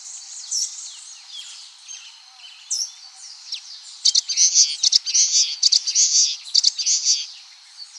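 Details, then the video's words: Common waxbill song with no sound effects added: scattered high thin notes at first, then from the midpoint a loud, rapid series of buzzy, scratchy phrases to the end. "Som limpo do canto🎵 do Bico de Lacre"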